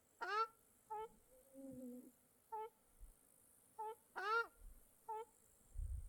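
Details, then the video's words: Wild birds calling by a small lake in Mongolia: short nasal harmonic notes and a few louder downslurred calls spaced about a second apart, with a soft drawn-out note between and faint water hiss. "Birds Singing by Small Lake"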